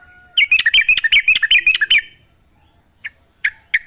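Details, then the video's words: Sooty-headed bulbul in a wild setting delivers a two-second bubbly chattering phrase of rapid notes, then three spaced, sharp calls. "trucuk gacor full suara alam"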